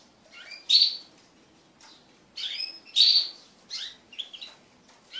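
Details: Crested canaries kept as pet birds, mating together as a group: a few separate bright chirping notes and short high twittery phrases spaced by quiet gaps.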